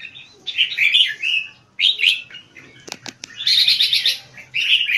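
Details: Caged Red-whiskered Bulbul kept in Singapore and trained for competition singing, delivering high-frequency keke phrases: bright chattering bursts separated by short pauses, with a few sharp clicks in the middle.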